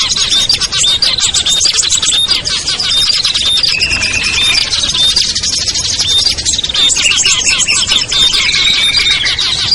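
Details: Luring sound for small birds that will not come down: a thick, unbroken wall of high chirps and squeaks, with a couple of lower buzzy trills rising out of the chatter.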